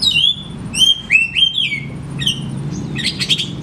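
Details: Song of an oriental magpie-robin, played to encourage lazy birds to sing. Sweet whistled notes slide downward in quick succession, followed by scratchy chattering bursts. A low background hum is present.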